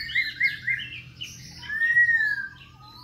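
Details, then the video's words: Voice-switching song of a Khe Sanh laughingthrush, sung as it dances: three quick repeated whistled notes, a buzzy chatter, then a long, clear, slightly falling whistle. "Khướu Khe Sanh hót múa đảo giọng liên tục"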